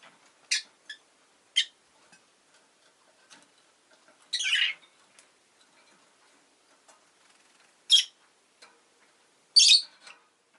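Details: Shrill, rasping chirps from a rosy-faced lovebird come at irregular intervals, about six strong bursts over ten seconds, one longer and grating, with soft clicks between. Town sounds such as car and bike noise are part of the recording.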